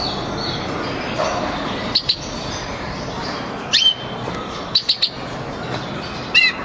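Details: Male white-winged crossbill recorded in 2019: a few short, sharp chip notes, some in quick double or triple bursts, spaced over several seconds above a steady low background rush.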